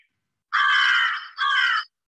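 An American crow gives two harsh, hoarse caws, the first long and drawn out, the second shorter, with silence around them.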